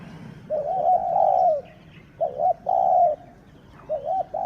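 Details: Spotted dove, the sixth captive bird, calling as a decoy for luring wild doves: low, mellow coos, a long drawn coo followed after a pause by two shorter paired coos, then another pair.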